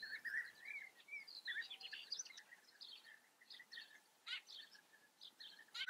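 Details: European bee-eaters calling at their breeding colony in the Eifel region of Germany, with a steady sequence of short trilled chirps, some higher-pitched, and a sharp clatter near the end.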